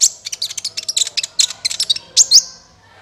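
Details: Sunbird lure call for trapping: a continuous rapid chatter of piercing high chirps, ending in two louder, sharper upslurred notes.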